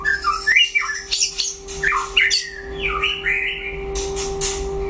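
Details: In a singing duel with a rival, a white-rumped shama mixes harsh squawks and clicks with slurred whistles that rise and fall. A low mechanical hum continues throughout.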